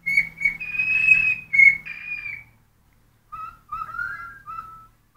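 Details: A pet cockatiel sings when hungry, giving a run of high, slightly wavering whistles over a low hum, a short pause, then softer, lower whistled notes rising and falling.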